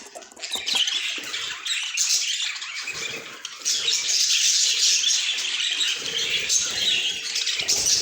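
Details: Budgerigars kept as pets, chattering in a busy overlapping stream of shrill chirps and squeaky warbles, briefly quieter near the start, otherwise unbroken.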